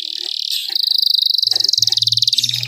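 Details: Canary song played to encourage other canaries to sing: one sustained, fast, high-pitched rolling trill, steady and bright throughout, over a faint low hum.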